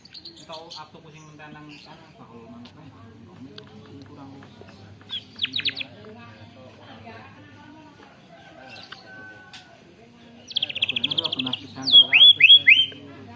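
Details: White-rumped shama (murai batu) trained on canary song: scattered quiet notes and a faint hum, then near the end a buzzy canary-style trill followed by loud descending whistled slurs.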